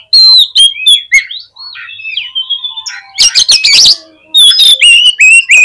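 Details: Magpie-robin lure song intended to excite other magpie-robins: sharp, clear whistles repeated quickly, a softer warbling middle, then a loud harsh burst followed by more ringing downslurred whistles.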